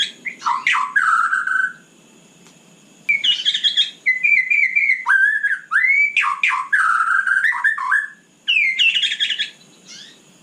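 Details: Night song of a white-rumped shama, bursts of varied phrases with sharp swoops, whistled notes, quick chatter and rising slurs, separated by pauses of a second or more.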